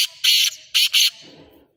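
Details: Harsh call of a black francolin: three loud rasping, buzzy notes, one then a close pair, followed by a faint low rustle.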